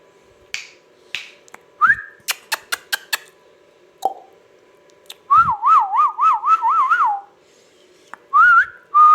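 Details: Ringneck parrot giving a rapid wavering whistle, a trill-like series of up-and-down swoops lasting about two seconds, with scattered clicks and taps before it and short rising whistles after.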